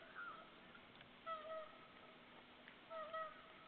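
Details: Whooper swans at Saunja on 24 November 2013 at 07:27 in the morning, giving loud, nasal, trumpeting calls in short paired notes a few seconds apart, over a steady background hiss.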